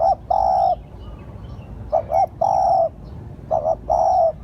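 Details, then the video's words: Lure call of a spotted dove, a double short coo then one sustained mellow hoot, phrases spaced roughly one and a half seconds apart over a low steady hum. "Tiếng chim cu gáy gọi hay"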